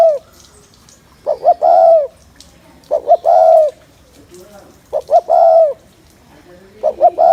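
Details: Spotted dove cooing to excite males for bird trapping; repeated phrases of two short notes and a longer falling coo, about every two seconds, with faint other sounds between.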